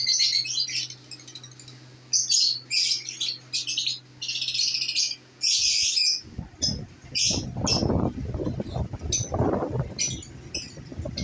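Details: Newly placed pair of lovebirds giving bursts of shrill, high chirping in rapid clusters, followed by loud rustling and scraping noises with occasional chirps.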